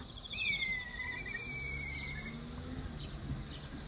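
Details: A black kite perched close by gives its "pi-hyororo" call, a long thin whistle sliding slowly downward over about two seconds, over a steady low rumble of background noise.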